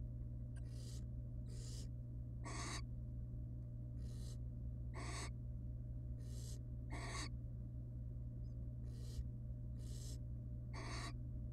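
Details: Wild barn owls at a monitored nest box, a mother and father together beside their chicks; broad breathy hisses, each under half a second, come in an uneven series of about a dozen over steady low hum.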